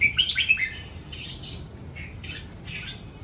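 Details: Home-kept caged red-whiskered bulbul opens with a sharp run of whistled, slurred notes, then several fainter, mellow phrases spaced about half a second apart against a low background hum.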